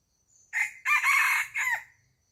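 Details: A rooster crows on a chicken farm: a loud, harsh cock-a-doodle-doo in three parts, a short opening note, a long strained middle and a falling final note, lasting about one and a half seconds over a quiet background.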